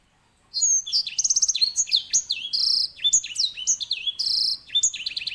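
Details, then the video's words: Grey singing finch (Serinus leucopygius), also called edel sanger, a small 10–11 cm finch kept as a master tutor for canaries, pours out a loud, unbroken song of high slurred whistles, rapid rattling trills and sweet down-slurred notes, with its characteristic rolling song. "EDEL SANGER SI BURUNG BERSUARA LANTANG"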